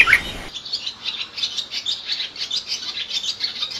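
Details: Wild birds chirping in a dense, rapid chatter of high twittering notes that overlap and pulse continuously, with a brief lower squawk at the very start.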